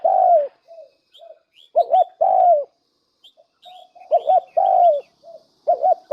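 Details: Spotted dove serving as a decoy bird repeats its mellow coo phrase, a short doubled note leading into a long falling coo, several times with quiet gaps and small-bird chirps.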